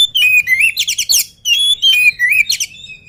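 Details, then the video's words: Agile oriental magpie-robin singing strongly before its feed: dense bursts of ringing whistles and fast trills, swooping notes repeated in two rich phrases separated by a brief gap. "KACER GIRAS/GESIT BELUM MAKAN VOUR GACOR"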